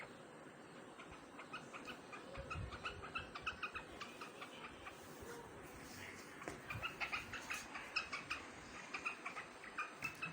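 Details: Big quail feeding on grain, recorded 3 July 2021; soft short chirping notes repeat in quick irregular runs above a steady background hiss, growing denser toward the end.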